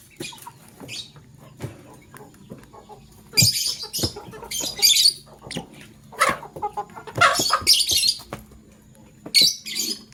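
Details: Male lovebird choosing a partner, chirping in the morning: bursts of harsh, high, buzzy chirps in clusters around three to five seconds and seven to eight seconds, with softer scattered chirps and clicks between.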